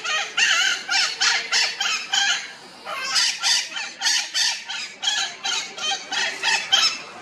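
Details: Morning nest check by red-shouldered macaws that came back roughly an hour after departing at dawn; continuous harsh, grating screeches repeated about three times a second for seven seconds, loud and raspy.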